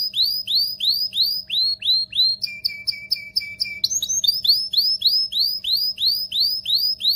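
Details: Canary song for mating stimulation, steady repeated arched whistles about three per second, broken by a short burst of clipped stacked notes before the whistles resume.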